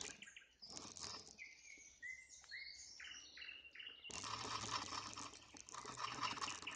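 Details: Sunset song of a nightingale: a few clear whistled notes and short fluting phrases at steady pitches, then broadband rushing noise takes over for the second half.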